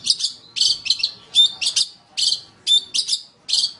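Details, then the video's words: Long-tailed shrike singing in a training recording for other songbirds. The song is a series of grating, scratchy bursts with brief thin whistled slurs mixed in, given in quick pairs with short pauses. "Masteran Terbaik Pentet / Cendet | Song 3"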